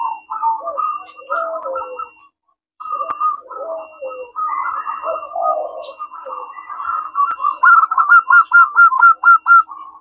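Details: Zebra dove of local stock, singing actively as a lure for answering doves: varied murmuring coos and lower slurred notes, then a pause, ending in a crisp run of evenly spaced, bouncing beaded notes.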